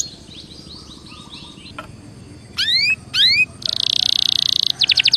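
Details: Belgian canary song meant for warming up, with soft chirps, then two bright rising whistled sweeps, a loud sustained buzzy trill and a fast rattling series of clipped notes.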